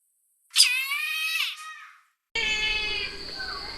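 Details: Brahminy kite call: one long, high, mewing note with a slight fall in pitch, followed by a break and a stretch of noisy background sound.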